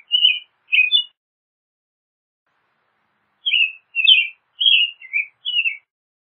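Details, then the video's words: Two short whistled phrases from an American robin, a pause of over two seconds, then a run of four more rising-and-falling caroling phrases; nothing else audible. "American Robin Song! Call! Sound! Singing!"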